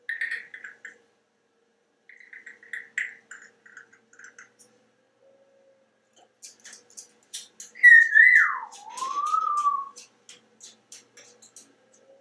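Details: A talkative male African grey parrot living indoors in Texas makes soft clicking chatter, then a loud swooping whistle that dips and rises over two seconds, followed by more quiet clicks.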